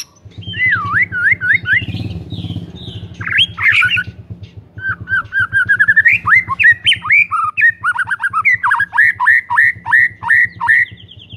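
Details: White-rumped shama in full song, meant as a lure for shamas that have stopped singing: a long, continuous run of varied swooping whistles and repeated upslurred notes over a steady low hum.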